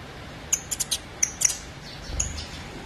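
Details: Young saffron finch calling for its mother, giving high, piercing chirps in a quick uneven run of about six notes, then a lone chirp after a pause, with faint background hiss.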